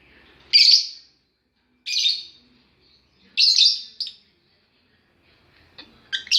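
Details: Lovebird calling alongside its chicks: a series of five sharp, grating, high shrieks spaced unevenly about one to one and a half seconds apart, ending with quick closer chirps, no other sounds behind.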